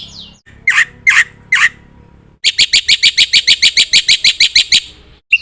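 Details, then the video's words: Black-winged myna calling in varied bursts: three harsh, grating notes, then a steady run of about fifteen clipped, high chattering notes in even rhythm, ending with a single sharp note. "suara burung jalak putih gacor"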